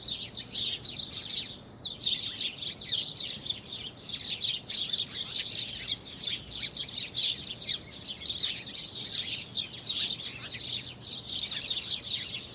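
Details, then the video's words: Birds singing in a busy chorus on February 24, 2020, with rapid high-pitched tweets and short descending trills layered without pause, several voices overlapping throughout and only a soft low background noise. "Birds singing"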